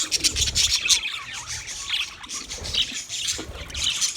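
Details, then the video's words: Budgies chirping in a group: shrill warbling and squeaky tweets layered over each other, with soft low thumps in the background. "sounds of budgies chirping"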